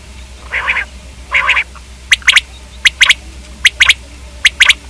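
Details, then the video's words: Common quail: two harsh, rasping notes, then sharp whip-like triplets repeated about once a second, over a faint low hum. "Quail k hobsort awaz"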